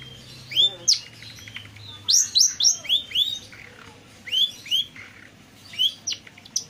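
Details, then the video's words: Long-tailed shrike singing vigorously as a lure for birds that will not sing; clear loud downslurred whistles in quick clusters of two to four, separated by short pauses, over a faint low hum. "pancingan burung pentet yang susah bunyi atau stres dengerin ini langsung nyaut gacor"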